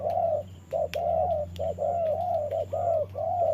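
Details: Spotted dove used as a decoy in trapping, dueling with a wild bird in the rain: a rapid run of mellow cooing notes, short ones alternating with longer drawn-out coos, over a steady low hum and a faint high tone.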